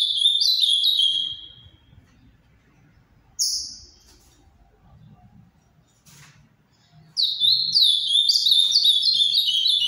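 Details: Ultramarine grosbeak, captive-bred, Paraná song style: a burst of bright descending whistled notes, a single isolated high note midway, then another fast cascade of sweet phrases.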